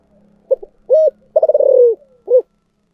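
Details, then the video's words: Spotted dove in the prized 'giọng thổ sấm' song style: quick opening note, a full coo, then an extended purring, pulsing coo falling away, ending with a single short coo; a faint low hum beneath. "chim cu gáy giọng thổ sấm chuẩn nhất"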